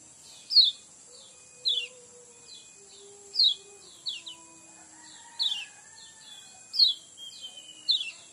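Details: Lemon-bellied white-eye, a recording used as a lure to make birds sing: short, sharp, downward-sliding chirps given singly or in small bursts about every second, with a steady high electronic tone running throughout.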